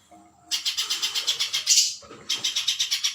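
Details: Spiderhunter song for bird training: after a short silence, a fast train of sharp, high, buzzy notes at about four per second, paused briefly near two seconds, then resumed at the same pace.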